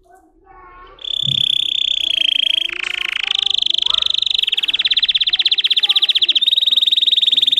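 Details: Russian singing canary, a breed kept for song of high-toned variations: after a quiet second, a loud sustained rolling trill starts, holds steady, then turns into a rapid pulsed rattle to the end.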